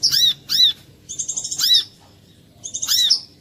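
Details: Brief brown-throated sunbird lure song for prompting other korlap: two sharp high chirps, then a fast buzzy trill ending in a piercing note, a pause, and another trill-and-chirp phrase.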